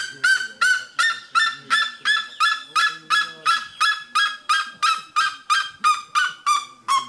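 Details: Red-legged seriema at Pico de Caledonia, Brazil, in November 2017, giving a loud, steady series of harsh, honking yelps, nearly three per second, each note ringing and slightly falling.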